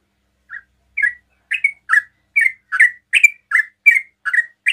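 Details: Sooty-headed bulbul in rapid song meant to provoke rival bulbuls to reply; after a soft opening note, clear whistled chirps follow at roughly two per second, alternating rising and falling slurs.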